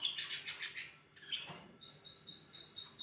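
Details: Canary in the morning giving a burst of harsh chattering notes, then a sweeping note and a steady run of quick, evenly repeated high trill notes.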